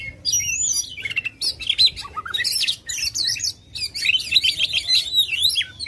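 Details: Aggressive Oriental magpie-robin with fanned tail pouring out song to stir a reluctant bird: a rich, almost unbroken warble of quick looping whistles and scratchy twitters.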